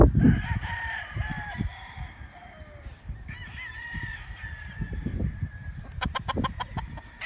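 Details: Chickens and roosters calling: two fainter, stretched rooster crows, the second one briefly rising, then a quick run of sharp clucks near the end, all over a constant low rumbling background.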